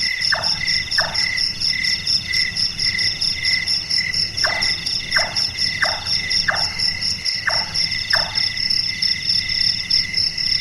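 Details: A Large-tailed nightjar (Caprimulgus macrurus), active at night, gives short knocking 'chonk' notes likened to carpentry, spaced under a second apart in brief runs, over a dense, high, steady insect chorus.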